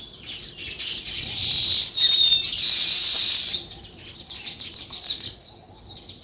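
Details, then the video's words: Sparrows in nature chirping continuously, with a loud, dense swell of overlapping calls in the middle, flanked by quicker separate tweets. "Natural Sparrow View and Sounds | Chirping Sounds"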